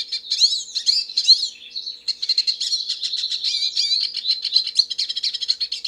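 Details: Hooded siskin, a wild finch singing freely: looping whistled notes, then a long, fast run of high twittering chirps and short buzzy trills, with a few lower whistles mixed in.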